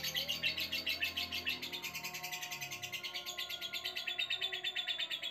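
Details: Caged lovebird giving a long ngekek trill on meeting a newly arrived male housed in a separate cage: a continuous, rapid, high chattering of evenly repeated pulses, about eight to nine per second, running over five seconds above a low steady hum.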